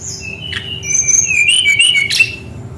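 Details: Rolling song of a Brown-chested jungle flycatcher, played as a lure for young birds not yet singing: a sustained high whistle, a brief buzzy note, then bright whistles that slide up and down over a low steady hum.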